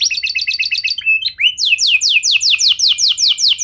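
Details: Canary song used to draw other canaries into song: quick twittering trill, a couple of thin upward whistles, then strong repeated downward sweeps at a brisk, even pace.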